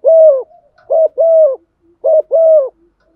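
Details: Spotted dove used as a caller to excite other doves, repeating a long coo followed by two pairs of a short note and a sustained mellow coo, quiet background.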